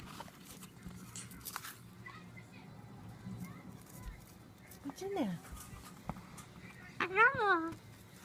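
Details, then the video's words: A male Moluccan cockatoo playing inside a crockpot box gives a short descending squawk, then a harsh, voice-like rising-and-falling phrase imitating speech, over soft background talk and room noise. "The bird in this box is trying to tell me something!"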